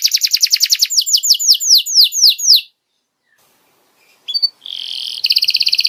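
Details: Tutoring song for young canaries: a fast series of high descending chirps for nearly three seconds, then a pause. After that come a short note and a buzzy, rattling trill. There is no other sound.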